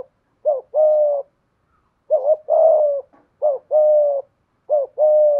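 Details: Decoy spotted dove singing in the 'giọng thổ' style: four low phrases, each a quick wavering double note followed by a sustained level coo, spaced about one and a half seconds apart.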